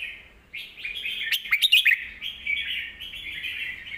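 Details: Song of a red-whiskered bulbul, deep and full-voiced, meant for teaching young birds: after a short silence, bright warbled phrases start, with a burst of sharp, emphatic notes in the middle, then continuing fluty warbling.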